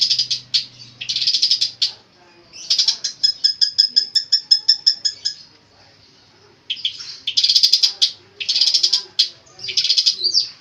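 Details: Singing Long-tailed shrike with a varied mimicked repertoire, recorded as a training master: rapid rattling bursts, then a long run of evenly repeated clear whistled notes, a short pause, and more fast scratchy trills.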